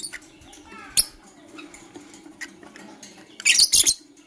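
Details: Morning chirps of blue opaline and parblue euwing opaline lovebirds: faint scattered ticks and one sharp note early, then a loud, rapid cluster of shrill chirps near the end.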